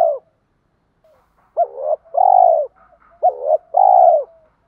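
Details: Cooing of male and female spotted doves meant to get trained birds cooing: two deep phrases about 1.6 seconds apart, a wavering note then a long level coo, over faint distant dove notes.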